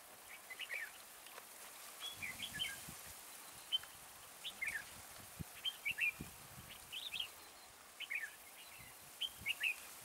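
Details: Red-whiskered bulbul used for trapping, singing repeated short chirpy warbles about every second in a steady series, with faint knocks and rustles underneath.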